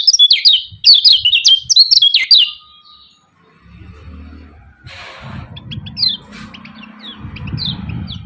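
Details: Yellow-vented bulbul with a 'ciak ciak' call to stir up rivals: rapid, loud high chirps for two seconds, a pause, then fainter scattered chirps over low rumble.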